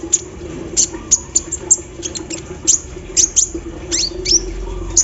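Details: Olive-backed sunbird set out in the morning dew, singing an embroidery-machine filler. Sharp high ticks come in uneven bursts, followed near the end by a short rising slurred note. A steady low hum continues in the background.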